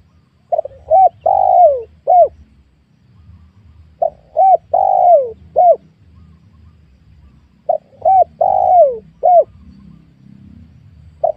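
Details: Wild spotted doves being lured in a young oil palm plantation. Three identical cooing phrases repeat roughly every four seconds, each two brief hoots, a long downslurred coo and a closing hoot, over a faint low rumble.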